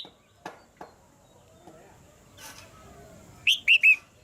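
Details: Several soft clicks and knocks come first, then a caged female red-whiskered bulbul, calling to make the male sing harder, gives three quick, clear whistled notes near the end.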